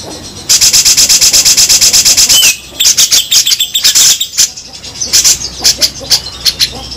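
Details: Cucak jenggot, or grey-cheeked bulbul, delivering coarse 'besetan' song for songbird training: about two seconds of evenly repeated rasping notes, then a quick upslurred whistle, followed by irregular scratchy chatter and clicks fading toward the end.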